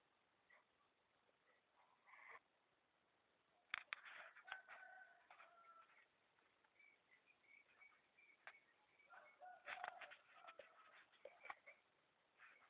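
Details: A tame, trapped Green junglefowl (Gallus varius), kept about three months, gives two short, harsh, squeaky crows about six seconds apart, with other small birds chirping in the background.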